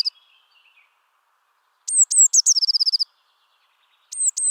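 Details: Song of a Eurasian Blue Tit, a year-round resident across France: faint high notes, a pause, then one complete phrase of two sharp, thin descending notes leading into a quick, even trill. A new phrase starts at the end.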